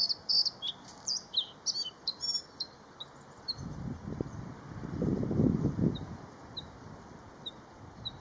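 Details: Bluethroat (Luscinia svecica) singing in the late April–May season, recorded while waiting for a heron: a quick run of varied, high, sharp chirps and ringing notes; its song weaves in calls of neighbouring birds.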